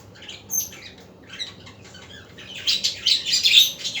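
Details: Afternoon budgerigar chatter: a few scattered squeaky chirps at first, then a dense run of buzzy, warbling squawks building up toward the end.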